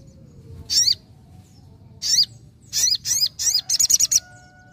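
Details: Energetic sogon song, shrill downward-slurred whistles coming singly and then in a quickening sequence that ends with a rapid string of short high notes, over a low background rumble.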